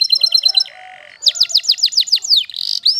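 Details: Waterslager canary singing: a quick series of high chirps, then a brief flat buzzy tone, then a run of steeply falling whistled sweeps that ends in a rising note.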